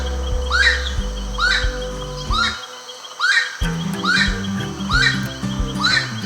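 Slaty-breasted Wood-Rail giving loud, high, squealing calls that rise then drop, repeated roughly once a second, over background music.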